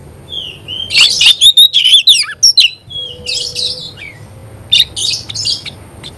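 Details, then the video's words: A vigorously singing Oriental magpie-robin (kacer): a soft opening whistle, then a loud rush of chirps, trills and clear slurred notes, followed by quieter intermittent bursts. "Kacer gacor"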